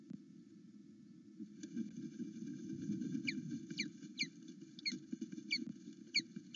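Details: Morning at a Loch Arkaig nest cam, where an osprey greets its returning mate with excitement. After a quiet start come rapid, piercing downward-sweeping chirps, roughly two or three a second, over a steady low background hum.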